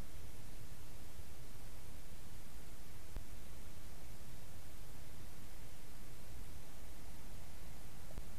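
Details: Continuous hissing static with a few faint clicks and no animal calls.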